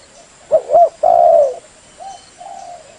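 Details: A female spotted dove's call to stimulate males. One low coo phrase has two quick notes and then a longer sustained coo, followed by two faint softer coos.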